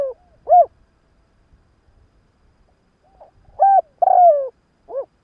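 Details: Spotted dove kept as a decoy, cooing in the morning to draw in wild birds: scattered hollow coos, one early note, then a cluster of three near the end, the longest falling in pitch, with silence between.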